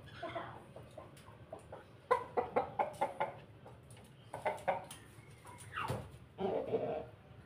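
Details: Pelung rooster during feeding, giving a laughing crow: bursts of short staccato chuckling notes in quick runs, then a longer drawn-out note near the end, over a low steady background hum.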